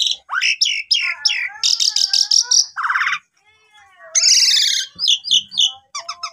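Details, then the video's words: Pied myna song played as a lure to get non-singing mynas going: a jumble of squeaky rising whistles, a rapid buzzy rattle, low wavering tones, a short pause, then a harsh burst and quick chirps. "Pancingan Jalak Suren Macet Bunyi"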